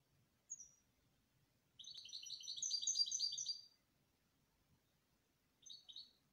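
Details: Canary singing softly: a brief high note, then a two-second rolling trill of rapid high chirps, and after a pause another short trilled fragment.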